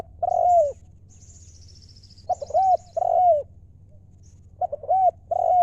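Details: Wild spotted dove singing in the Thai 'liu to din' style, giving phrases of short clipped coos that lead into a longer, downslurred coo, repeated several times over a low steady hum.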